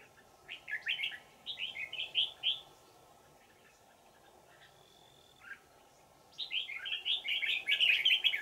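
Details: Wild old red-whiskered bulbul, a forest bird with a ringing, twisting voice, lured during trapping with a decoy on 20 December 2018: two bursts of bright warbled phrases, quick rising and falling notes, with a steady low hum beneath.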